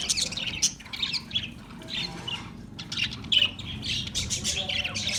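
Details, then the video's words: Australian parrot giving scattered high squawks and chirps in short bursts with brief gaps, over a low background rumble. "Beautiful Australian parrot video Bird Chirping sounds"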